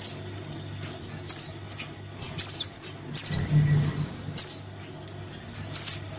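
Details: Crimson sunbird nestling calling its parent as a lure: shrill rapid tick series opening, then scattered thin downslurred squeaks and short high buzzes, with a quiet low mechanical hum underneath.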